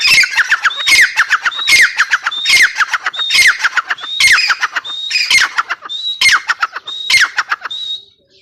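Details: Calling female teetar, the grey francolin: around ten harsh phrases repeated steadily under a second apart, each a rising-then-level whistle leading into a tumbling series of short, falling, grating notes.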